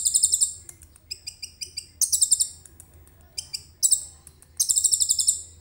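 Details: Common iora delivering cililin-loaded song, recorded by phone. Quick, evenly spaced high chips alternate with loud buzzy rattling trills over a faint steady low hum.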